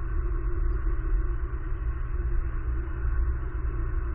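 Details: Only a constant low, muffled rumble of mechanical hum is heard, without any animal voice.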